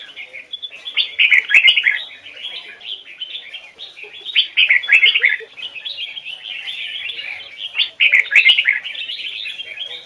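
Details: Red-whiskered bulbul singing a standard double-note song in the Hoài Sơn forest style, recorded for training: loud warbled phrases repeated about every three seconds between softer chatter, with intermittent clicks.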